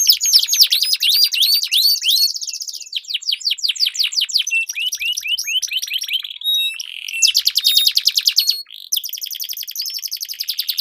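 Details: Canaries duelling in long rolling song, used as a lure to train competition birds: rapid upslurred whistles, then fast repeated chips, a sustained buzzy roll and a brief pause before a high trill.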